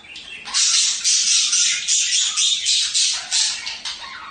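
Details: Budgerigar chatter played to encourage mating: a dense run of harsh, buzzy, high warbling bursts, about four per second, with brief dips between them and no other clear sounds.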